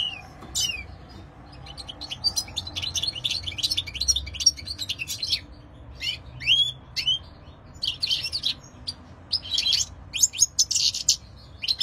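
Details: European goldfinch song, a lively high twittering mix of quick chirps, buzzy bursts and slurred whistles, delivered in clustered phrases with short gaps, over quiet background.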